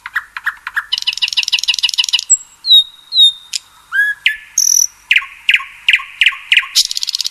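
A common nightingale sings a rich, varied song: sharp clicks, a fast rattling trill, pure drawn-out whistles and a run of loud repeated notes, with no other sounds.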